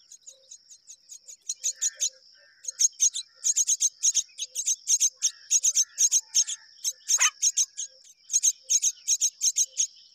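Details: Both myna parents rearing young; soft ticks build into long runs of loud harsh rasps about three per second, one brief sharp descending squeal midway, steady high-pitched hum throughout.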